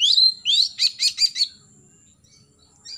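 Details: Oriental magpie-robin morning song, played to stimulate young birds to sing: a high rising whistle, then a quick series of four buzzy, trilled bursts, followed by a thin sustained note fading out.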